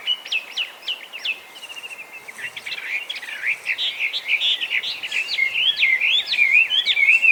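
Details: Chinese hwamei singing in Japan, where it is an invasive species that imitates other birds: a few sharp rising whistles, a quieter pause, then a building, increasingly loud jumble of varied notes.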